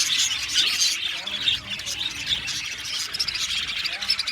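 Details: Budgies in an aviary colony chattering, with high, rasping warbles and chirps overlapping in a dense flock chorus and occasional sharper squeaks.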